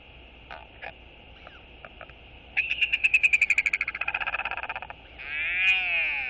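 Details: Royal albatross chick at its nest giving a sky call greeting to its father, who has returned to feed it, 31 March 2022. A rapid pulsed series of harsh notes at about four per second swells then fades. Chirps from other birds are heard, with steady background hiss.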